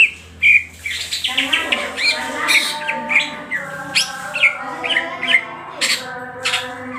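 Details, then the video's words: Greater green leafbird in ngentrok song, crest lifted and tail opened, gives short bright chirps about twice a second over a bed of even, lower harmonic notes. "CUCAK HIJAU GACOR NGENTROK JAMBUL BUKA EKOR"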